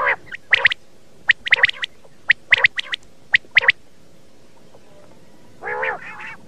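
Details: A common quail call used to lure birds for morning hunting gives short, sharp clipped notes in quick bursts of two or three, about once a second, then a brief lower, harsher nasal sound.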